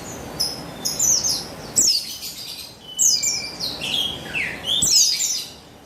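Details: Female buxtoni white-eye used to provoke a male into singing: bursts of high, busy twittering mixed with downward-slurred chips and a few lower whistled notes, in phrases around a second long.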